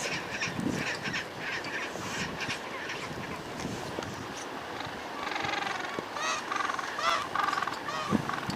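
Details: Gentoo penguins sitting on their stone nests in a large colony on an Antarctic island honk and bray in a noisy chorus, their harsh overlapping calls building to louder, harmonic brays near the end.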